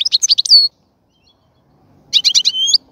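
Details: European goldfinch kept in a cage being readied for mating, delivering two quick bursts of liquid chirps, each ending in a drawn-out high note, with a silent gap between.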